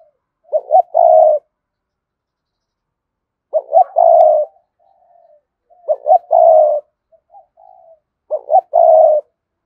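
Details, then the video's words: Spotted dove used as a lure for wild doves, cooing four times: each phrase a pair of short hoots leading into a long hoarse note, with soft low murmurs in the gaps. "Chim cu gáy Cườm Sa thúc gù gáy gọi đủ bài. chim cu gáy kích bổi nhanh nổi"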